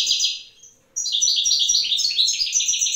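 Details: European goldfinch, one of a wild pair, singing in the evening while the female incubates eggs: a rapid stream of bright twittering notes, a brief pause, then a fuller, faster jangling run of tinkling high notes.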